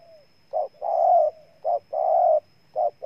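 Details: Spotted dove of Ninh Thuận, Vietnam, cooing in rhythm. Brief punchy notes alternate with long, drawn-out mellow coos that hold a steady pitch, with a soft trailing note between phrases.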